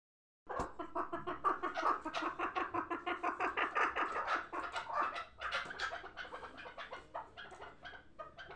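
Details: Hybrid chukar partridge, last year's young birds kept for fighting and hunting, calling with a rapid stream of harsh chuckling notes, about three per second, building in loudness and continuing steadily throughout.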